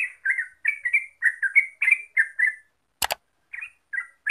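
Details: Yellow-vented Bulbul (terucuk), a lure recording meant to set birds singing rapidly and nonstop: bubbly, warbled chirps in quick runs, a pause, one sharp click, then a few scattered notes.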